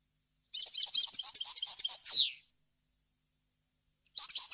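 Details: Clear goldfinch song used to teach chicks: a rapid string of high, tinkling chirps ending in a falling buzzy slur, then silence before another twittering phrase begins.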